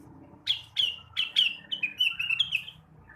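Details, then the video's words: In the morning, a blue-winged leafbird sings to spur untrained birds: sharp, high downslurred notes repeated several times a second, then a quicker twittering run of chirps, against a low background hum. "kicauan rengganis atau cucak wilis di pagi hari"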